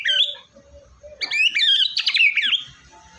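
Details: White-rumped shama in gacor (vigorous, nonstop) song, played to prompt a quiet shama to sing: a short whistled phrase, a brief pause with a low steady tone, then a rich, rapid burst of varied sweeping whistles.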